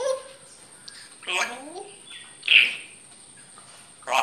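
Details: Grey parrot talking: a low whistled note, then a falling, voice-like sweep and a sharp high chirp. Brief pauses separate the sounds, and faint speech-like syllables are heard between them.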